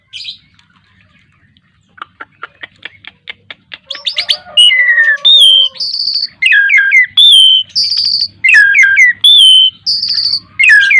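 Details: Caged Asian pied starling aged ten years, singing gacor mompa: a soft accelerating series of clicks builds into loud, clear whistles, some sliding down, others short and high, repeated in a lively, irregular stream.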